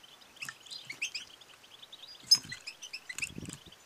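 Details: European goldfinch female calls, used to stimulate males to sing and to mate: quick, thin twittering chirps and short bright notes in loose bursts, with a few faint low thumps between them.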